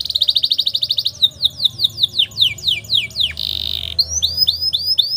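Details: Canary tutor song with long rolls for young birds: a fast pulsed trill, then deliberate downslurred whistles, a buzzy roll, and upswept chirps.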